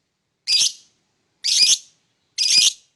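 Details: Lovebird in the morning giving three loud, harsh, high chirps spaced about one second apart, each short and raspy, in an otherwise quiet setting.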